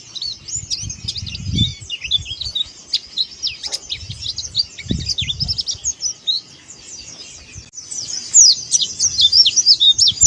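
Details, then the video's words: Oriental white-eye, dakbal style, twittering fast and high with about three notes a second, jumbled chirps and slurs, growing louder and denser toward the end, with occasional low taps. "CIRI KHAS BUKA PARUH PLECI DAKBAL"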